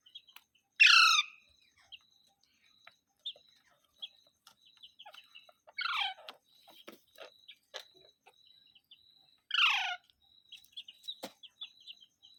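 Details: Pet green parrot uttering three short, harsh, downward-sweeping squawks spaced several seconds apart, among faint clicks, taps and a steady high background tone.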